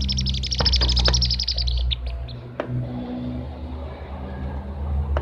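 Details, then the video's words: Blue-tailed bee-eater calls used as a lure to attract birds: a quick series of bright, trilled chirps for about two seconds. The chirps then fade to scattered single notes over a steady low rumbling background. "BURUNG KIRIK KIRIK CIRIK CIRIK SUARA PANCINGAN KIACAU MERDU"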